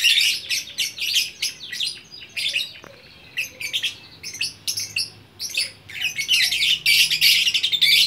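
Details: Lovebird in Bukittinggi, West Sumatra, singing 'gacor orkestra' style: quick runs of shrill, buzzy chirps and scratchy twitters, short pauses midway, then a dense unbroken burst of high chatter toward the end.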